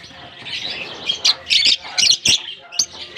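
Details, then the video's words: Released into a colony in Germany for the summer season, lovebirds keep up a high, squeaky chatter that builds into a run of four or five loud, sharp chirps in the second half. "Japan lovebirds release in colony season off come to summer 🌞 off season bird good chirping sound"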